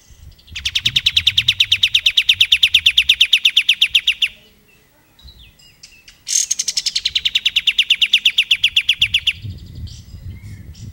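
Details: Plain-throated sunbird, used as tutor song for magpie-robins and other songbirds. Two long, fast trills of high, even, pulsed notes, each lasting about four seconds, separated by a short pause, over faint low background rumble.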